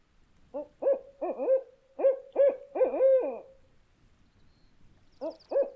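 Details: North American Barred Owl giving a rhythmic run of eight resonant hoots, the 'who cooks for you' pattern, with a drawn-out, wavering ending; two more hoots follow after a pause.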